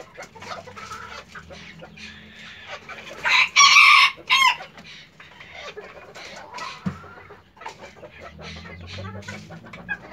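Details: Hen laying an egg: loud strained squawks in a burst near the middle, surrounded by softer clucks and scratchy noises.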